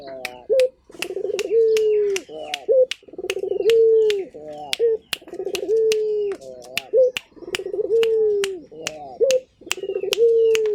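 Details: Turtle dove of local stock cooing steadily, phrases repeated roughly every two seconds, each a pulsing roll into a long low coo and a quick rising note, with sharp clicking snaps throughout.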